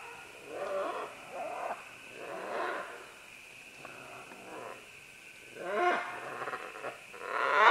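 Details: Several green-winged macaws calling as they descend along vines, recorded at medium close range: rough, harsh squawks in irregular bursts, some rising and some falling, with quiet gaps between them.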